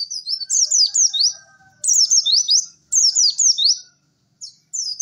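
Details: White-eye singing cek cek werr phrases for masteran: three clear bursts of quick, high, sliding notes with short pauses, ending in a brief chip.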